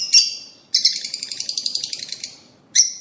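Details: Rosy-faced and Fischer's lovebirds in a mating-stimulation recording: one sharp shriek, then a fast buzzy chatter of rapid repeated squeaks lasting about two seconds, and a final shrill chirp.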